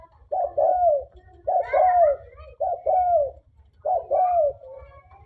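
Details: Tame, vocal spotted dove: clear low coo phrases, a short note followed by a longer down-slurred coo, repeated every second or so in a quiet room.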